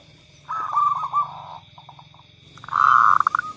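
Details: Zebra dove song played to get reluctant doves singing: a slurred run of cooing notes, a few soft clipped notes, then a loud rolling phrase ending in quick beats, over a low humming background.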